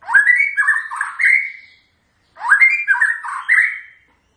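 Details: White-rumped shama singing its characteristic song in two matching bursts, each a rising whistle followed by several rich warbled notes, separated by a half-second pause.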